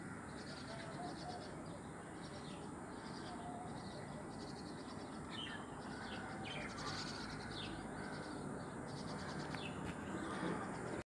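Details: A flock of swifts wheeling in circles near a window holding their nest entrance, June 2020, nestlings likely present: rapid, high, buzzy trilled screams repeated throughout, with a few short descending sweeps, over constant broadband background noise.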